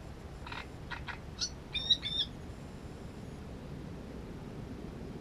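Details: Great reed warbler recorded near its nest: a few harsh, grating notes in the first half, then a louder burst of rasping notes mixed with short clear whistles, followed by quiet background hiss.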